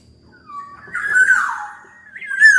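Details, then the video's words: Black-naped oriole, described as a lively singer: a soft whistle leads into a long drawn-out nasal, wavering squawk, then a final loud call that slides downward with harsh overtones. "Burung Kepodang Super Gacor"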